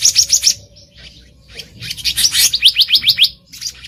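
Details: Black-naped monarch calling in the wild, a lure for trapping birds: quick runs of high, slurred notes repeated several times per second, with a brief softer pause midway.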